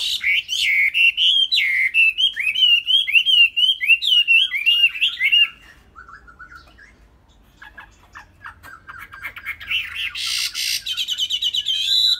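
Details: Caged Chinese hwamei from Vietnam singing a loud, varied run of rich whistled phrases with rapid slurred notes, repeated up-and-down motifs, a brief pause, then softer chattering notes building again into bright, high whistles.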